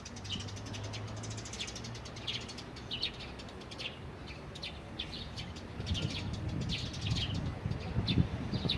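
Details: Wild birds at Jecheon station square on Saturday, 9 April 2016: thin, high chirps and tweets repeat quickly and irregularly over a steady low rumble that grows louder and grittier in the last few seconds.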